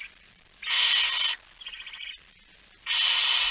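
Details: Barn owl near midnight on 17 September 2019, the male returning with a mouse: three breathy rasping screeches, the middle one softer and faintly pulsed, the outer two loud and drawn out.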